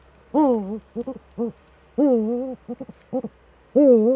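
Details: Eurasian eagle-owl pair sitting together in their nest hollow, filmed by webcam on 6 March 2013: loud, harmonically rich wavering wails, each dipping then rising, traded with quick clusters of short clipped notes.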